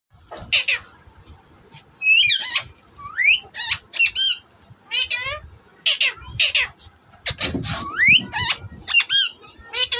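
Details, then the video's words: Parrots in a Karachi bird market, facing each other, giving a busy run of harsh squawks, rising whistles and rapid warbled notes in short bursts, with faint music at the end. "Talking Parrots"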